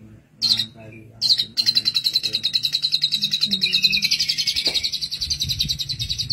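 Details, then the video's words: Long-tailed shrike (cendet) song in the 'tembakan' style for tutoring songbirds: a few sharp high notes, then a long run of fast buzzy pulses that slips lower partway through. "Masteran Handal pAsti nempel, tembakan mewah burung Cendet"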